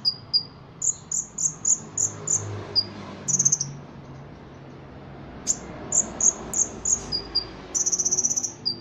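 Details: Ruby-cheeked sunbird in full song, its phrases filled with mimicked cricket and Cililin bird notes. Sharp, very high chips and short buzzy trills come in quick runs separated by pauses, over low background hum.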